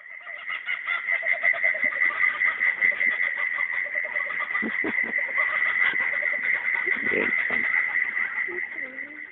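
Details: A kookaburra, native to Australia, gives its territorial laughing call: a rolling, cackling laugh of rapid chuckling notes throughout, over a steady high-pitched ringing tone and a faint voice.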